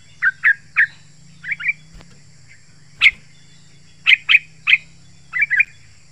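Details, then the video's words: Sharp, spaced bulbul notes, single and in pairs or triples, from a yellow-vented bulbul recording meant to lure wild birds and prompt caged ones to sing; faint low hum beneath. "Trucukan Gacor Rapat Suara Tajam"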